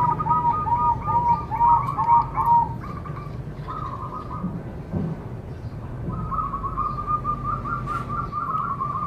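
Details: Zebra dove song to prompt other doves to sing: rapid pulsed cooing trills, one phrase layered over another early on, then a longer soft purring run, against steady low background noise.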